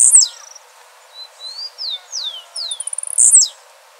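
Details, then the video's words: Blue-black grassquit singing in nature: a very high, sharp buzzy burst that drops steeply in pitch opens and closes the passage. Between them, another bird gives a series of clear descending whistled slurs and a quick run of ticks. "Tiziu azulado dando um verdadeiro show na natureza de canto e beleza"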